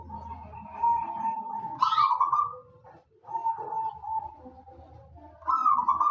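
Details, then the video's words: Wild local zebra dove singing to draw other doves into song, with long even purring coos that end in a louder, higher rolling flourish, repeated after a brief pause, over low background rumble. "perkutut lokal alam gacor untuk pancingan pada bunyi"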